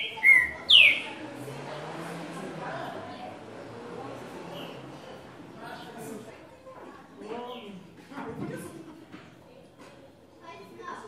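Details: Brazilian green-winged saltator, six-note 'Boi' song style: two loud, sharp whistled notes open the recording, then only soft chatter and murmuring background sounds continue.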